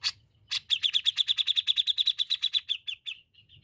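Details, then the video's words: Grey-cheeked bulbul (cucak jenggot) in full, lively gacor song used as a master recording: two harsh broadband notes, then a fast, even run of about twenty sharp, high chattering notes that slows and fades at the end. "tiếng chim có râu Cucak Jenggot Gacor Masteran Handal"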